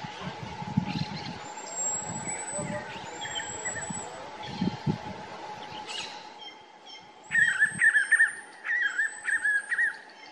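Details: Spot-backed puffbird recorded in Ceará, Brazil, on a Nikon Coolpix P1000. A quiet stretch of low rumbling and thin, high whistles from other birds gives way to a loud burst of rapid, sharp, repeated notes near the end.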